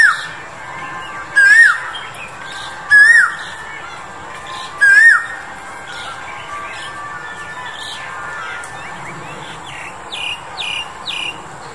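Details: Male Asian Koel recorded in February 2021 during the pandemic: three loud whistled notes, each rising then dipping, repeated about every 1.7 seconds, followed by quieter high chirps from other birds.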